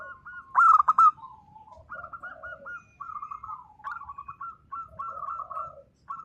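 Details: Local zebra dove in lively voice, in a song style that prompts silent birds to reply. One loud, broken, fluttering coo phrase, followed by several quieter doves cooing in overlapping rippling strings.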